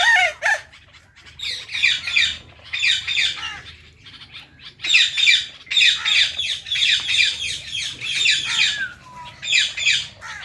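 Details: Pet Indian ringneck parrots, one blue, calling hard: dense, repeated harsh screeches in rapid clusters, rising and falling, with a brief whistled note near the end.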